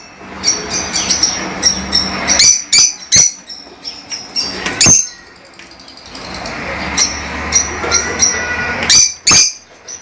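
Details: Lovebirds, small parrots kept as pets, giving sharp high chirps and squeaks at irregular intervals, with a low background hum throughout.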